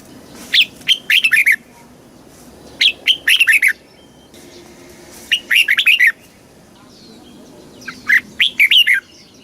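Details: Thai caged red-whiskered bulbul singing the southern master style, played for stimulating birds and training chicks: bursts of four to six quick whistled notes sliding downward, phrases spaced by short silences, faint low background noise.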